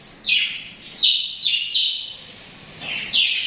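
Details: Budgies chatter cheerfully in short harsh chirps, four clustered notes in the first two seconds, then a pause before another rising burst.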